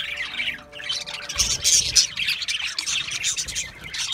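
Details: Budgerigars chatter in rapid scratchy warbling; after a brief quieter moment the flock surges into dense, high chirping with thin whistled notes.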